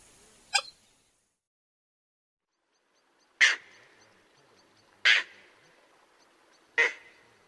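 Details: Common moorhen giving loud, harsh, abrupt single notes, each a short explosive burst, repeated about every one and a half seconds after a pause, in otherwise quiet surroundings.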